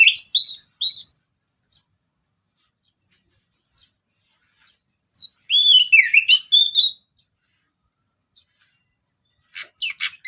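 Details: ['Orange-headed thrush song in the ngeplong style, played as a lure for other birds. High scratchy whistled notes open, a long pause follows, then a twittering run of slurred whistles, and brief high squeaky notes at the end.']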